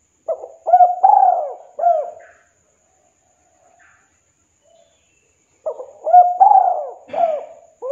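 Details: Two phrases of the 'kuk 2' spotted dove call meant to draw a rival in, separated by about three seconds of silence. Each phrase has quick low hoots, then a drawn-out rough coo, and ends with a short falling note.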